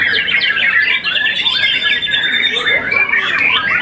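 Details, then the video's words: Young white-rumped shama after its first moult, a contest-winning bird, singing a dense, continuous run of rapid whistled and chattering phrases with quick rising and falling notes, no pauses. "murai batu muda mabung satu kali"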